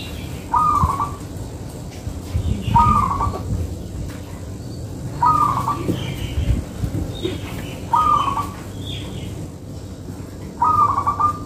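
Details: Local zebra dove singing steadily, used as a lure for trapping: short cooing phrases with a slightly wavering tone, repeated every two to three seconds over a low rumbling background.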